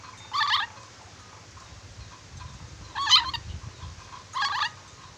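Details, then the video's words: Sulawesi ornate lorikeet, kept as a skilled whistler, utters three harsh, buzzy, broadband bursts roughly two seconds apart, each lasting under half a second, against a faint low rumble. "Nuri dora sulawesi pintar bersiul, nuri dora banyak siulan"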